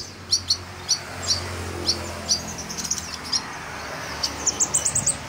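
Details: Sunbird called kolibri ninja singing strongly for a training recording: evenly spaced high sharp chips about every half second, ending in a rapid rising trill, with a constant low hum behind.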